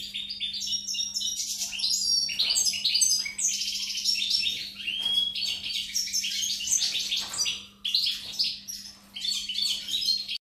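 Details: European goldfinch singing on 4 May 2019, a fast, jumbled stream of chirps, tinkling trills and nasal buzzes, with brief pauses near the end, over a steady low hum.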